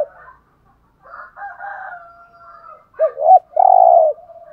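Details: Spotted dove cooing in the Hạp Bổi voice, played to rouse caged doves. Soft, wavering background cooing gives way to a loud phrase of two short, rounded hoots and a long, buzzy, level coo.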